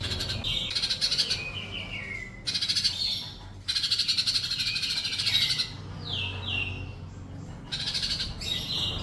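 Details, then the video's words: Sunbird song for training caged birds to respond: separate bursts of high buzzy trills alternating with clear descending whistled notes, with silent gaps between phrases. "Masteran suara burung Paling Gacor kolibri cukup 1 menit,burung diam langsung nyaut"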